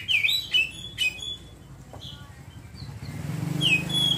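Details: Oriental magpie-robin twittering in ngeriwik style: sharp whistled chirps at the start, then a quieter gap and a final whistle as a motor-like rumble rises.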